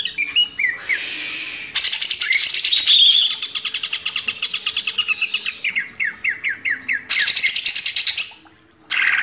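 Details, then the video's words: Master recording of greater green leafbird song for training cage birds: long runs of rapid, evenly repeated chirps, several bright buzzy trills and downslurred whistles, with a short quiet break near the end. "MASTERAN CUCAK IJO // LANGSUNG GACOR"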